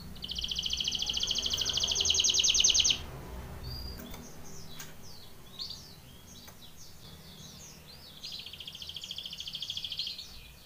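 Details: Canary of Belgian type singing for training: a long, loud, even trill rolls for several seconds, followed by softer twittering notes and clicks, then another sustained trill, all over a low hum.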